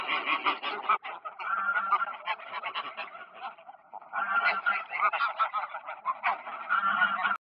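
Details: Greylag geese calling on Park Poleski ponds, 1 October 2024: two waves of loud overlapping honks separated by a softer stretch of gabbling, the flock clamouring continuously.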